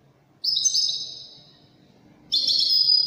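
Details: Brief European goldfinch song in the Moroccan Widani style: one clear, high trilled phrase that fades away, then a fresh burst of bright twittering.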